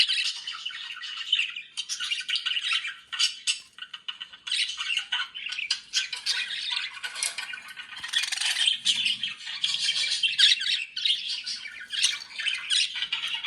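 Budgerigars chatter continuously with rapid squawks, chirps and warbles, a busy high-pitched flock sound.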